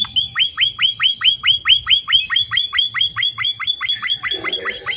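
A finch repeats a clear, high, down-slurred note about four times a second in a steady, even series. Faint low rumbling sits underneath.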